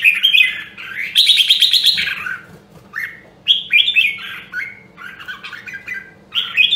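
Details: Rare Nam Dong, Hue red-whiskered bulbul singing in voice training: an opening warble runs into a long buzzy, rattling stretch, then several bright, slurred whistled phrases with short pauses between them.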